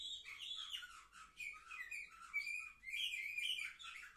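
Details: Seven-month-old canaries of the Orfey line, 10 November 2023, pour out a fluid stream of whistled slides and chattering notes, rising and falling without a break.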